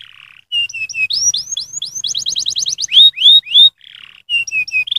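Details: Canary in stimulating song for other canaries: soft low chatter, then bright slurred whistles, a crisp rapid trill of repeated notes, loud falling whistles and more chatter, clean and close.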